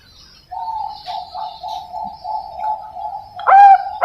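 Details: Captive young Bangkok-type zebra dove from a breeding farm in Pasuruan, East Java, Indonesia, hatched February 2023, gives a soft, rapidly rolling purr of low coos lasting about three seconds, then one louder, clearer whistled coo.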